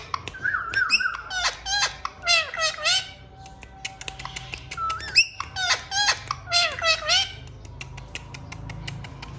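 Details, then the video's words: Pet talking Indian ringneck parakeets, three caged birds, giving squawky, speech-like harmonic phrases with gliding notes in two bursts, separated by sharp clicks and brief whistles, indoors. "Talking indian Ringneck Parrots"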